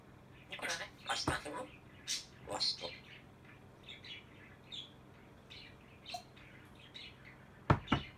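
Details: Talking grey parrot producing chirpy, squeaky syllables and mumbled speech-like sounds, with a couple of sharp loud clicks near the end.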